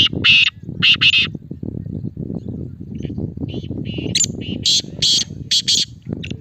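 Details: Male black francolin gives loud rasping double notes, a pause, then a longer run of harsh, grating notes rising in intensity, with a low droning murmur behind.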